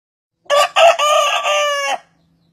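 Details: Rooster from a compilation of the world's longest crowing: a loud, harmonic crow of about one and a half seconds, two short opening syllables followed by a long sustained held note that ends abruptly, in quiet surroundings.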